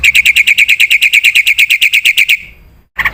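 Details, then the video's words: Black-winged myna singing energetically, a full song with fill-in phrases: about seventeen rapid, evenly spaced chirps repeated roughly seven per second, then a brief quiet gap and a short harsh burst. "suara burung jalak putih gacor full isian"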